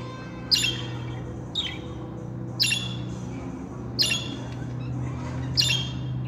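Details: Budgerigars kept indoors give a loud harsh squawk about once a second, five in all, over a strong low droning hum.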